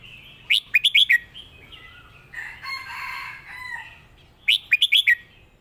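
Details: Competition red-whiskered bulbul singing a master song phrase: rapid clusters of four sharp, bright whistled notes at the start and end, with a rougher, noisier call from another bird in between.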